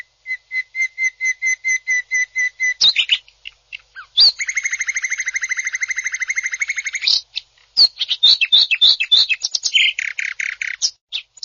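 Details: Greater green leafbird, a caged contest bird, in a loud fast song: a run of evenly repeated two-tone chips, then a long buzzy rattling trill, then a jumble of sharp whistles, slurred notes and harsh bursts.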